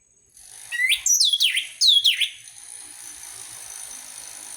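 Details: Orange-headed thrush singing, a lure for birds reluctant to sing: four or five rapid downward-sweeping whistled notes in two short bursts, followed by faint background hiss.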